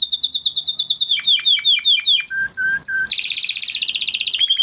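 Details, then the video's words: A male Spanish Timbrado canary, bred in 2020, sings a training song in rapid phrases: a fast high rattle of repeated notes, a run of slurred falling notes, three lower whistles, then a buzzy high trill. "Canary Singing Video"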